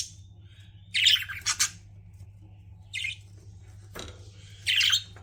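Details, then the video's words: Pet budgies giving a few separate bursts of scratchy, high chirps and squawks between quiet gaps, over a low constant hum. "CUTE PET BUDGIES CHIRPING"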